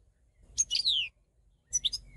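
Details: European goldfinch song: a burst of high, tinkling twitters sliding into a long descending buzzy note, a short pause, then a second cluster of bright chirps and a thin whistle.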